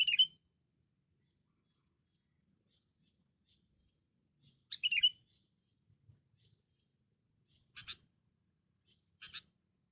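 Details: Sooty-headed bulbul, cengkram type, loud and talkative, gives two quick bubbling whistled phrases several seconds apart, followed by two harsher buzzy bursts near the end, in otherwise quiet surroundings.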